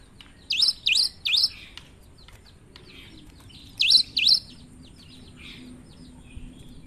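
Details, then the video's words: Cinereous tit singing vigorously, its odd song made of three quick swooping whistles, a pause, then two more, over a faint low hum. "Gelatik batu gacor suara aneh"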